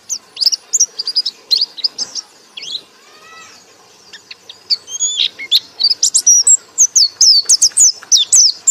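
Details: White-eye ngekek song, loud and high: quick chirps at first, a short quieter gap with a softer warbled phrase, then a dense burst of rapid sharp twittering notes.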